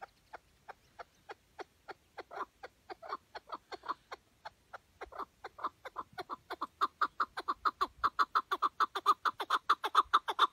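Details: Chukar partridge on a tether as a hunting decoy in Şırnak, Turkey: a chuck series starting as spaced thin notes, then growing louder, fuller and faster into a steady rhythmic chatter of over two notes per second.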